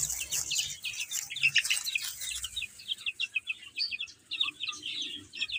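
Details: Baby chickens eating and playing give a dense stream of short, high, bright chirps, quick notes tumbling over one another with brief pauses and soft low rustling underneath.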